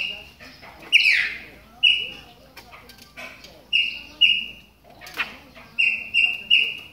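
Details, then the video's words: During the moult, Chopi blackbirds warm up with clear, flat whistled notes repeated in pairs and triplets, broken by a few harsh rasping sweeps. "CHAMADOS DE PÁSSARO PRETOS AQUECENDO NA MUDA !"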